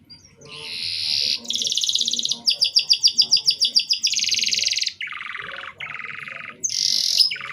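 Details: Canary song used to stimulate young canaries to start singing: high, dense trills and rattles, a fast pulsed trill of about ten notes per second, then lower buzzy rolls and a sharp high burst, continuous and loud.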